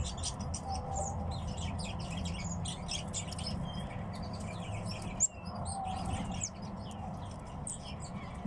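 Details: Home-kept tits twittering busily: dense bursts of high, quick chirps in the first half, then sparser notes after a brief knock, with steady low background noise.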